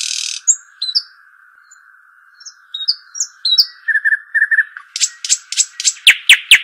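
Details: Arabian babbler, known locally as shuhaim or dakhal: soft scattered whistles and short chirps build into rapid, loud, descending piping notes near the end. A steady tonal hum sits under everything.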